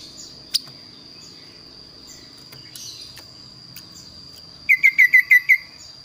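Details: Kaso-kaso bird in full song, its voice called unusual and varied. After a long stretch of near-quiet with a steady high whine and a lone click, a burst of six crisp, evenly spaced chip notes comes quickly at the end.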